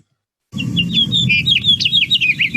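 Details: House Finch song in the breeding season: a fast, jumbled warble of bright rising and falling notes, high and varied, over a low background rumble. A buzzy "gear" sound is sometimes added at the end of a song.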